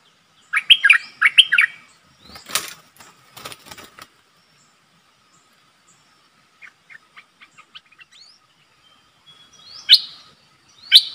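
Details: Streak-eared Bulbul, a captive decoy bird, giving quick, bright chirping notes in short bursts, then sparse single calls, with loud wing flutters in between.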